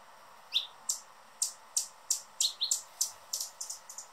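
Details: A male Anna's hummingbird is noisy on the guarding perch at his favourite feeder, giving sharp, high, dry chip notes about two or three a second, sometimes doubled, over a faint steady hum.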